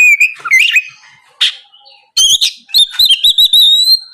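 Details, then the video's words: Oriental magpie-robin singing energetically in the morning, used as a lure to provoke rival birds into answering: varied loud whistles and harsh buzzy notes, rising slurred phrases and rapid chattering bursts separated by short pauses. "PANCINGAN SUARA BURUNG KACER GACOR NGEPLONG PAGI DIJAMIN BIKIN LAWAN LANGSUNG IKUT NYAUT BUNYI GACOR"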